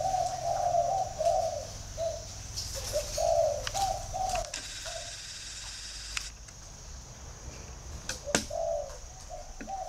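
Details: Spotted dove call: a run of low, mellow coos in short grouped phrases, pausing midway and then resuming with one more coo near the end, with clicks and scattered handling noises.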